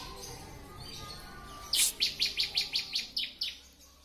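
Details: Bar-winged prinia (ciblek) in a training recording: faint background at first, then a loud run of about eight evenly spaced, bright high chirps.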